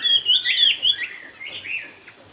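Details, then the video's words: Chinese hwamei singing in the 'cao cầu' style: a brief run of clear, high whistled notes sliding and looping, loud at first, then softer warbled phrases trailing away. "con chim hót cũng thẳng " Họa mi cao cầu""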